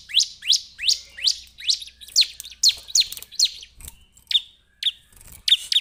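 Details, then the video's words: Bar-winged prinia, locally Perenjak Jawa or Ciblek, giving a steady series of bright upslurred chirps, about three per second, followed by a few scattered, thinner notes near the end. "Suara Burung Perenjak Jawa / CIBLEK"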